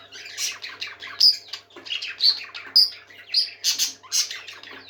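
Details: Several caged pet parakeets singing happily indoors: a busy, continuous chatter of bright chirps, squeaky warbles and short whistled notes, with soft scratchy squawks mixed in and a faint steady hum underneath.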